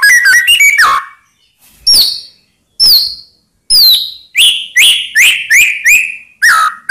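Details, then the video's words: White-rumped shama singing to provoke other shamas, giving quick whistled notes, then spaced rising whistles and a run of descending whistled phrases. "Ampuh Buat Murai Lain Terpancing Emosi Seketika Insyallah Langsung Nyaut"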